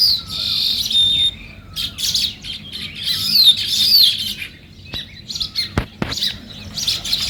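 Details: Morning sparrow chorus of busy high chirps in uneven bursts, with a few thin whistled notes and two sharp clicks near the end over faint low background noise.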